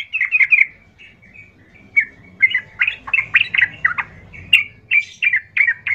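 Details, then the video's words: Yellow-vented bulbul responding emotionally to a rough, chatty bulbul lure call: loud, bubbly, chattering mid-pitched phrases, each burst a quick rising-and-falling run, repeated almost without pause. "trucukmu langsung Nyaut penuh emosional mendengar pancingan trucukan gacor kasar ini"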